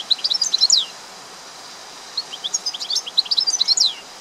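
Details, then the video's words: European goldfinch singing: two bursts of rapid, liquid twittering and tinkling high notes with short buzzy slurs, the second phrase longer, separated by a pause of about a second and a half over a faint steady hiss. "Goldfinches(carduelis) Amazing Singing"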